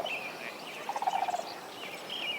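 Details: A distant Sandhill Crane bugles from a wetland on a summer morning. It gives a brief rolling, rattling call of about eight quick pulses in under a second, while small birds chirp thinly in the background.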